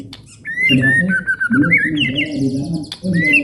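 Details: A White-rumped shama sings a clear, whistled song of long, gliding, slurred phrases, meant to stir other birds into singing, with a low murmur of other sound beneath it.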